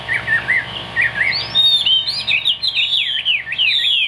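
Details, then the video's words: Caged Chinese hwamei from Vietnam opens with lower looping warbles, then climbs into high, sharp whistled slurs repeated in quick succession, loud and continuous throughout. "Bộ khủng hót cực tốt, đuôi lá vả, hót cao cầu | Họat Họa Mi"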